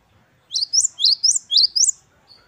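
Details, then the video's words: Parus major, the great tit or gelatik batu of wingko type, in 'wucit-wucit kristal' song: three crisp repeated pairs of rising, bright notes, evenly spaced, with a faint thin whistle after them. "Gelatik Batu Wingko Gacor | WUCIT2 KRISTAL | Great tit birds | Parus Major"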